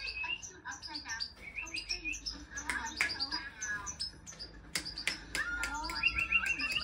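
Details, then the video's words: A tame goldfinch kept by hand sings a quick stream of bright tinkling notes and brief trills, overlapping with human speech nearby. "Hand tame goldfinche"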